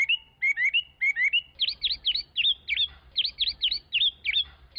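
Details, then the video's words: A Chinese hwamei sings loud, clear whistled phrases, first rising slurred notes in quick pairs, then a rapid run of bright, swooping notes repeated several times a second. "تغريد طائر الخوامي Chinese Hwamei"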